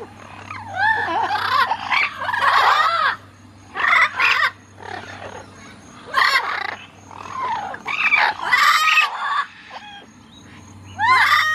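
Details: Pet parrots calling while a blue-fronted parrot flies, a yellow-fronted crouches and yellow-naped and lilac-crowned parrots play on the ground: harsh squawks and rising-falling screeches in bursts, with a steady low hum beneath.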